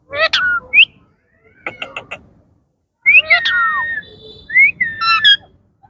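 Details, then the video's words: Indian ringneck parakeets kept as pets, in yellow, blue and green, talking indoors. Chattering harmonic syllables alternate with short upward whistles. A burst of four quick clicks comes in the middle and a downslurred squawk near the end. "Indian ringneck parrot 🦜|| talking parrot ringneck || yellow,blue 💙, green 💚 ringneck nice talking"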